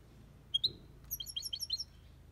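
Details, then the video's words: European goldfinch kept in an aviary, sung in the Malaga copy style: a couple of sharp rising chirps, then a quick run of high twittering notes over a quiet background. "Goldfinch song/ best chirping of the goldfinch | Jilguero Cantando copia malaga/ chardonneret chante"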